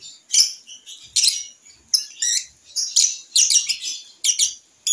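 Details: Young lovebird practising its sounds on a porch: an uneven run of high, scratchy chirps and short squawks, some doubled or tripled, scattered across a few seconds of otherwise quiet room.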